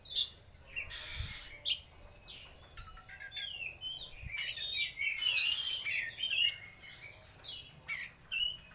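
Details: Oriental magpie-robin in full-power trotol konslet song, giving varied sweeping whistles, short chirps and quick trills. Two loud rustling or clattering bursts interrupt, with a steady high hum and low background noise.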